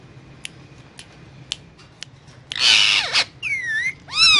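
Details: Indian ringneck parakeet eating guava gives scattered soft clicks, then a loud harsh screech lasting under a second, followed by ringing whistled notes that bend down and back up.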